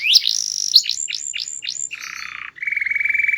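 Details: Small canary singing loudly and melodiously: quick slurred whistles, a run of descending hooked notes, a low buzzy rattle, then a steady rapid trill.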